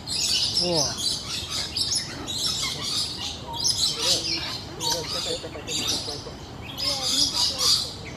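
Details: Wild common hill myna in Singapore giving a varied series of loud, harmonic calls, including a quick descending note sequence, with a bright, hissing high-pitched wash of background sound throughout.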